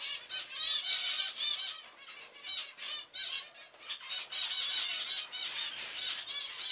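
Zebra finches give a busy stream of short, nasal, high-pitched calls, several birds overlapping.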